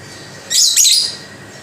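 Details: Caged lovebird giving a single harsh, buzzy chattering burst of about half a second, high-pitched and noisy, against a quiet background.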